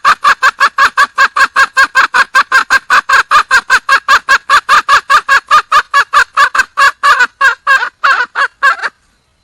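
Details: A wild red junglefowl hen, calling to find a male, delivers a long unbroken series of about forty loud, harsh cackling notes at an even pace, ending abruptly in silence.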